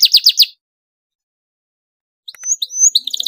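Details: Excited canary in full song, a tight rolling song meant to prompt other canaries to answer and sing: four quick high chirps, a pause of silence, then thin whistled slurs running into a fast rattling trill.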